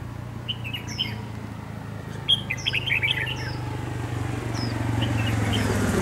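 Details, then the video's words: Dark-bibbed red-whiskered bulbul used as a decoy bird in trap fighting gives quick clustered chirps and a few higher thin notes, with a loud burst near the middle, set against a constant low droning hum. "Bẫy đấu chào mào Yếm ĐẬM GẤU CHÓ"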